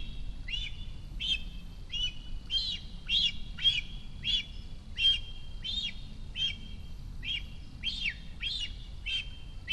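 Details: Young cinereous vulture at its nest near Rascafría in Sierra de Guadarrama National Park, a month after fledging, performing its food-begging ritual as the adult female approaches: a steady series of sharp, high chirps, closely and irregularly spaced, with faint low background noise.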